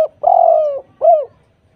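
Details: Spotted dove (tekukur) lure song for setting off silent doves: one long hoarse coo sliding slightly downward, then a shorter falling coo, loud and close with no other sounds.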